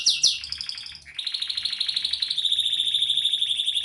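A canary sings a fast, high run of trills, rapid repeated notes rising and then holding a bright, rolling tour at a steady pitch.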